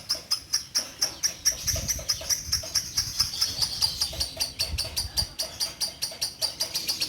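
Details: Bio Green orange-bellied leafbird hen, caged and used daily to tutor magpie-robins and young leafbirds. Steady, clipped, high chips come in quick succession for seven seconds, over a faint continuous high whistle and slight low background rumble.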